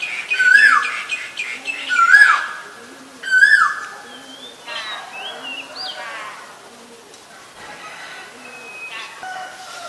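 Asian koel gives three loud, ringing notes about a second and a half apart, then fades out while thin, high whistles from other birds carry on.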